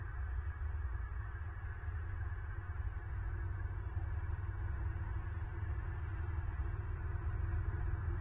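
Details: Low droning rumble with a faint hum throughout and no animal call.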